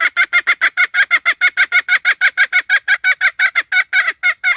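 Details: A hen clucks loudly and repeatedly, short harsh nasal notes about three per second, held in an even, unbroken rhythm throughout.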